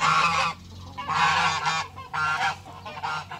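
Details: Farm geese kept alongside chickens in spring, giving loud, harsh, nasal honks in three bursts about a second apart, each broken into rapid rough pulses, with a steady low hum beneath.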